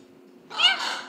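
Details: A female Red-fronted macaw with a small voice gives one raspy, hoarse, word-like utterance lasting about half a second after a brief quiet lead-in, while being prompted to say words like "hi" and "come here". No other clear sounds.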